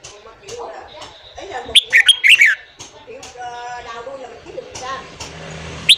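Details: Red-whiskered bulbul in morning song, played to fire up newly caught birds: a lively phrase of several quick, bright whistles early on, then softer chirping, with a single sharp note at the close.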